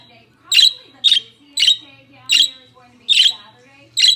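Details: One of two pet budgerigars gives six harsh, scratchy chirps in about four seconds, one every half second or so, over a faint low indoor hum.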